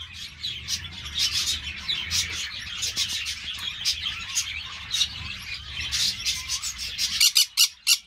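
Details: Green-cheeked parakeets in an amateur breeder's aviary give dense, rasping chatter punctuated by sharp shrieks. A run of louder, evenly spaced squawks closes the passage over a faint low rumble.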